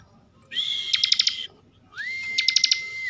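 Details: Two phrases of 'bren' song from a caged bar-winged prinia, Tegal, Central Java: a steady high whistle pierced by five quick clicks, then a lower rising whistle held flat with another click burst.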